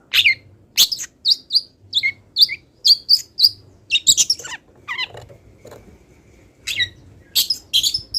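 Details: Moulting long-tailed shrike singing a song filled with copied wild-bird phrases: crisp high whistles and short sweeping notes about twice a second, then scratchy descending slurs, then a renewed run of clipped high chips.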